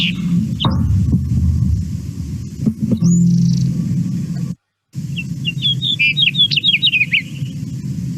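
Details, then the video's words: House Finch song: two quick, jumbled warbles of bright rising and falling notes after a low rumbling hum and a few scattered chirps; the first ends with a buzzy 'gear' sound, the second lacks it. "sometimes at the end of the house finch song they'll put this kind of gear sound"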